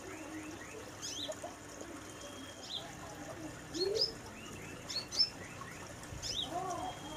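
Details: A sunbird in a small aviary cage gives sharp, high, thin chirps and quick twittering notes in irregular bursts about once a second, over soft background chatter.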